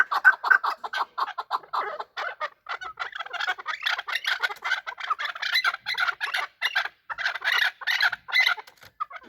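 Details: Fighting chukar partridges giving a dense stream of harsh chattering clucks, growing busier and louder toward the end.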